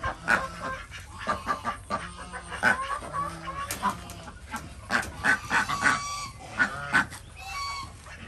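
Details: Desi ducks on a village farm in Andhra Pradesh, India, during morning egg collection. Several birds give short, nasal, harmonic calls in quick, uneven bursts that overlap one another, with farmyard background noise.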